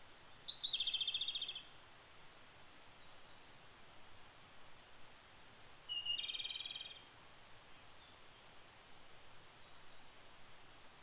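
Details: Wild Japanese robin (Erithacus akahige) in Japan in early May, singing two loud rapid trills, each about a second long and spaced about five seconds apart, with faint distant bird calls and steady background hiss.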